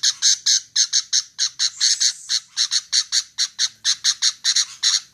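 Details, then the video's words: Female sooty-headed bulbul repeating short, scratchy squawks in a steady, fast series of paired notes throughout, without background noise. "SUARA KUTILANG Betina"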